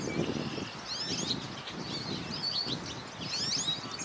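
American goldfinch giving thin, high, twittering call notes with quick upslurred squeaks, over a low rumble of background noise.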